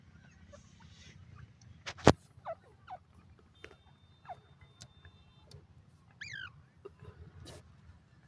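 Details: A pheasant in a forest gives a brief, harsh, ringing call among scattered short chirps and a sharp click, over a steady low rumble like distant traffic.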